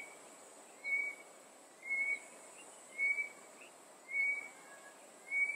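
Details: Tropical boubou from coastal Mozambique, two birds usually calling alternately to communicate; five brief, pure whistled notes at an even pace of roughly one per second, with a constant high-pitched insect hum behind.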